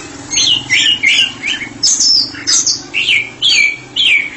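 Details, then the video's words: White-rumped shama, a therapy-specialist bird, singing ngeplong: clear separate phrases of downward-slurred whistles and short rich notes, about one phrase every half second, over a faint low hum. "Murai batu spesialis terapi sedang ngeplong"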